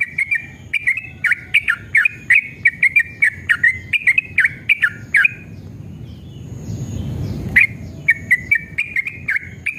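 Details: Yellow-vented bulbul, male, singing a long rapid 'ropel' lure song in an aggressive, excited mood. Quick chains of liquid, warbling notes rise and fall, broken by a brief stretch of low rumble before the bubbly run resumes.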